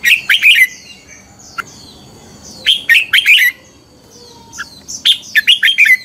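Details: Red-whiskered bulbul in competitive fighting song for morning singing training, a lure recording to stimulate other birds: three short, bright, tumbling phrases of chirped notes, each roughly two to three seconds apart.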